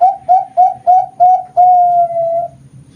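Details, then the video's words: Competition-quality Perkutut Bangkok zebra dove, farm-bred in Kroya, Cilacap, Central Java, gives five quick clipped coos followed by one long sustained mellow coo that fades out, loud and clear over faint background hum. "PERKUTUT BANGKOK GACOR PAKEM DEPAN TENGAH UJUNG KUALITAS LOMBA"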